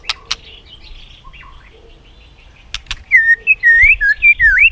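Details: White-rumped shama singing competitively: after quiet sharp ticks, loud clear whistled notes follow in a quick, varied sequence of upslurs and downslurs.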